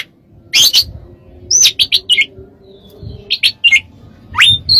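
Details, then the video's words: Master song of an Oriental magpie-robin for training birds, with short clipped high notes in twos and threes, a steep rising whistle, and a faint steady tone in the background. "MASTERAN KACER DAN TERAPI"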